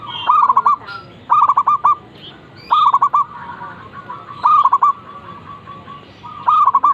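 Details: Zebra dove singing actively in the morning: five repeated bubbling coo phrases, each a quick run of rising-and-falling notes, spaced about one to one and a half seconds apart, with soft chirps behind.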